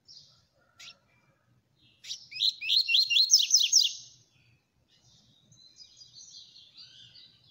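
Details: A Double-collared Seedeater, called coleiro, sings quickly. After two isolated high notes comes a dense two-second burst of bright, descending slurred notes in fast succession. A softer, thin warbling follows, over a faint low rumble.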